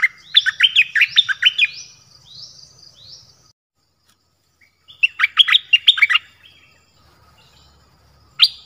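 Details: Nok dok taeng training song in the double style, also used to draw wild birds: two lively chirping phrases separated by silence, then a single sharp closing note.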